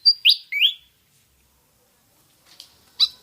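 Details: Malaysian pied fantail (Rhipidura javanica) call used as a lure: a few high, squeaky, upslurred chirps in quick succession, then a pause before more thin notes.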